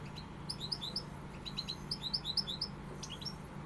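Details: Softer pegada singing by a European goldfinch: short series of clear rising chirps repeated in quick groups of two to four, fairly quiet against a steady low hum.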